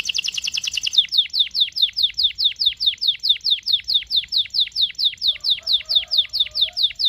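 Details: Canary with a long rolling song, used to teach a young canary: a rapid buzzy trill opens, followed by an even chain of sharp, downward-sweeping whistles repeated about twice per second.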